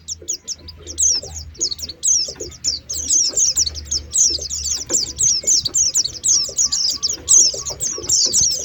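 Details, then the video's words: Oriental white-eye lure calls used to draw birds down: dense, very high, thin twittering chirps in quick overlapping bursts, nearly continuous throughout, over a faint low hum. "Suara pikat pleci"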